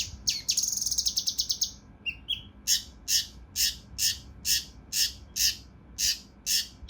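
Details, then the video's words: Mountain leaf warbler in rough, dense 'tembakan' song for tutoring competition birds: a fast rattling trill opens, then loud, sharp, high notes repeat roughly twice a second. "TEMBAKAN KASAR RAPAT UNIK | SUARA CUCAK RANTE MAS UNTUK MASTERAN BURUNG LOMBA"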